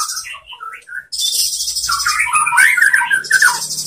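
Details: Training song of a white-rumped shama: short whistled notes, then loud buzzy chatter and a warbling phrase, with a faint low hum beneath.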